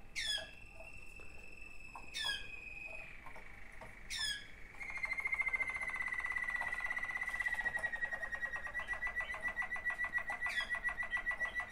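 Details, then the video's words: Waterslager canary song from one of two siblings: long level whistles broken by sharp upward strokes, then an extended rolling bubbling trill beneath a steady high tone. "waterslager 2 αδερφάκια."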